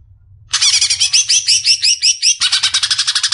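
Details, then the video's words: Cucak ijo, the greater green leafbird, kept as a songbird, singing vigorously to rouse a beginner bird: a fast run of bright, buzzy rising notes repeated almost three times a second, pausing briefly before resuming with a denser chatter. "SI CUCAK IJO NGOCEH MEMBANGUNKAN CUCAK IJO PEMULA"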